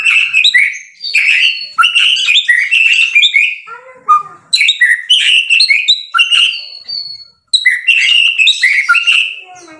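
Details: Vigorously singing white-rumped shama (murai batu): dense, loud phrases of whistles and harsh chips, a lower warbled interlude, long drawn whistles, then renewed rapid chattering.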